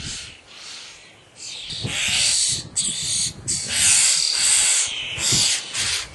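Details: Common starling chicks at feeding time giving loud, continuous hissing, shrill begging calls in long swelling bursts, with short pauses between them.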